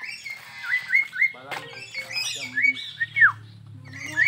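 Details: Crested myna singing vigorously at a zoo park in Perbaungan: short whistled notes that rise and bend, in quick clusters, with people talking nearby.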